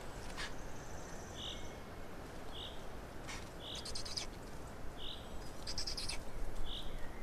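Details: Black storks in Estonia during feeding, 16 May 2019 at 12:47: short, soft, breathy notes repeated about every second, with sharp broadband clicks and rustles in between.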